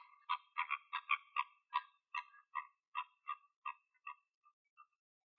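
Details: Wild flamingos somewhere in Greece give a series of short, nasal honks, fast and clustered at first, then spacing out and growing fainter toward the end, with one louder honk closing.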